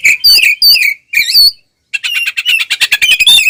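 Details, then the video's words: Fighting oriental magpie-robin (kacer): a few rich, warbling whistled phrases, a brief silence, then a fast harsh rattle of repeated scratchy notes with high whistles mixed in. "SUARA BURUNG kacer gacor NGEPLONG TARUNG BUKA EKOR"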